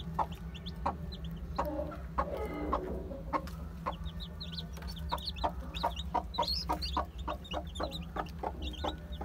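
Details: Day-old chicks of Aseel, Heera, Java and Muska breeds peeping: many thin, high, short cheeps scattered throughout, over a steady low hum with frequent sharp clicks and knocks.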